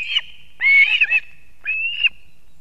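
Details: Osprey at a Latvian nest in Kurzeme, 3 September 2024 around 6:40 am, with the male bringing fish to the young; a few drawn-out whistled squeals, the last one rising slightly, separated by a pause.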